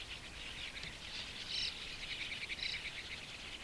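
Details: White-cheeked Starling fledglings in Japan, early June 2015, begging whenever adults arrive with insects near a shallow waterhole; a steady raspy hiss-like chatter with a louder burst of squeaky calls midway and again near the end.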